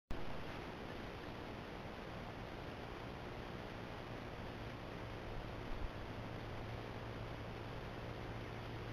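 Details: Steady broadband rushing noise with a low hum, like wind or distant traffic, and no animal voice.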